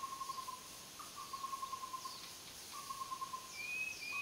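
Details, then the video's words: A white-rumped shama (Copsychus malabaricus) gives runs of soft, steady, mid-pitched whistled notes, then one brief higher, clearer whistle, over a constant insect hiss. "白腰鵲鴝 🐦🎶 Copsychus malabaricus"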